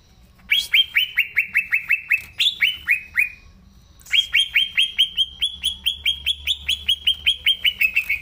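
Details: Green leafbird in full song, used to stir up young birds not yet singing. A short run of falling whistles and a rising note, a pause, then a long, unbroken run of rapid whistled notes.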